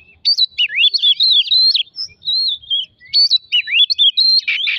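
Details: Oriental magpie-robin song used as a lure to provoke other birds into singing: a fast, continuous run of clear whistled phrases jumping between high and mid pitches, with sliding notes and brief pauses, no other sounds.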